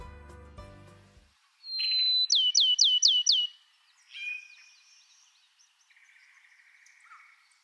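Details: Bachman's Sparrow in the East Texas piney woods, pine habitat with sparse shrubby understory. It gives a long, pure, high whistle, then five quick slurred notes in a ringing trill and a lower whistle; a brief voice or music opens it.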